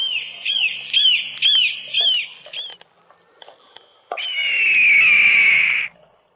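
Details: Eurasian sparrowhawk in a garden giving about six sharp, arched, slightly downslurred notes in quick succession, roughly two per second, then after a short pause one long, drawn-out, wavering whine lasting nearly two seconds.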